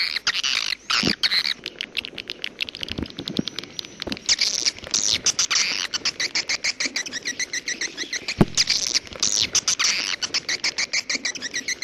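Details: Edible-nest swiftlet calling in the 'jaguar' style: rapid trains of sharp, clicky ticks mixed with bursts of shrill chirping, plus a few low knocks in the background.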